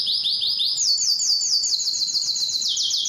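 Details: Yellow canary singing a fast series of high, rising whistled notes, about six per second, the phrase stepping up and then back down in pitch.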